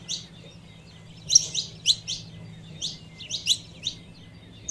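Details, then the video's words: Calls of a female saffron finch meant to excite a male, given as clustered sharp high chirps, two or three at a time with short pauses between, and a faint low hum underneath. "Fêmea de Canário da Terra Chamando 🐦 Piado de Canario da terra Fêmea"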